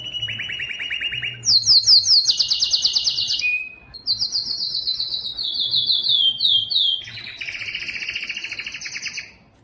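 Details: Yellow canary singing: a run of fast repeated trills in blocks, shifting between lower buzzy rattles and higher sharp notes, with a brief pure whistled tone in the middle.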